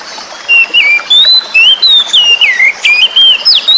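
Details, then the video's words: Oriental magpie-robin (kacer), wild-caught, song played as therapy to coax silent birds into singing: loud clear whistled phrases, sliding and warbling between high notes, delivered in quick bursts over a steady background hiss. "Terapi burung Kacer macet bunyi"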